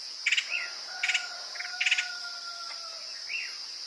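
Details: Woodpecker calls used as a bird-catching lure: short bursts of rapid, rattling high notes repeated every second or so, with two long steady whistled tones running underneath and a constant high insect buzz.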